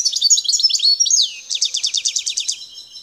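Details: Wild Algerian European goldfinch singing in the El Tarf area near Bouteldja, Algeria: high twittering, varied phrases with quick downslurs, then a fast buzzy trill of about fifteen evenly spaced notes.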